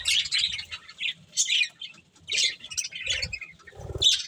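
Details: Budgies feeding on corn give short bursts of high, buzzy chirps separated by brief pauses, with wing flutters and soft thumps heard between calls.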